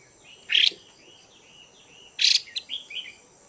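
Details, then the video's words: Caged female Chinese hwamei calling to stimulate males. Two loud, harsh, buzzy bursts stand out about 1.7 seconds apart, with softer slurred chirps in between and after. "Chim Hoạ Mi Mái VIP Chùi Kích Bổi Căng Lửa Mái Gột Chiến."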